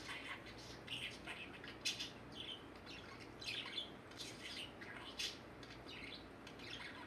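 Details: Male pet budgerigar, said to talk to everything and even in his sleep, chattering indoors in a run of rapid, scratchy, chirpy warbled bursts, each under a second, repeating through the stretch in a quiet room.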